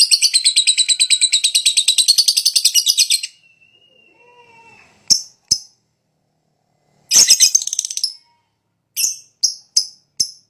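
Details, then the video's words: Fighter lovebird in high breeding condition giving long ngetik ngekek lure song: a rapid, buzzy, high chattering trill for about three seconds, then silence and scattered sharp chips and a short burst of chatter. "Pancingan LoveBird Males Bunyi,LoveBird Fighter Ngetik Ngekek Panjang"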